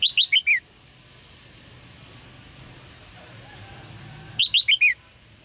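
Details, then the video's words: Red-whiskered bulbul chirps used to stimulate male singing: two rapid bursts of four or five short, clear whistled notes stepping downward, separated by several seconds of quiet hiss. "นกหัวจุก birds - เสียงนกร้องเจี๊ยก ๆ กระตุ้นการขับขานของนกตัวผู้"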